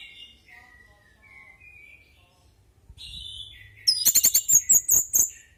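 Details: Orange-headed thrush in lively natural song, played so other thrushes respond. Soft drawn whistles lead into a fast series of loud, sharp, repeated high notes about six times a second.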